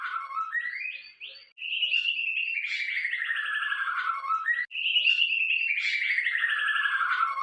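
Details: White-rumped shama (Copsychus malabaricus), song.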